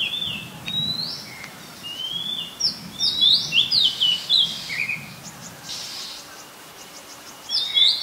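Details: Very common resident Oriental magpie-robin in Ubon Ratchathani, Thailand, 18 April 2022, recorded on a Nikon P1000. Its varied song runs as a rapid series of sliding whistles and sweet chirps, then pauses before resuming.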